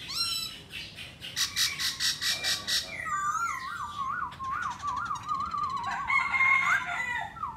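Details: Black laughingthrush, singing and dancing, gives a varied song: short whistles and harsh rattling bursts, then a long, wavering, warbled whistle that rises and falls repeatedly, with scratchy chatter mixed in.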